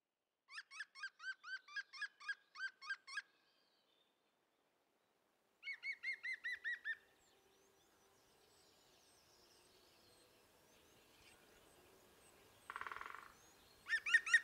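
A European green woodpecker gives loud, ringing laughing calls: quick series of harsh notes.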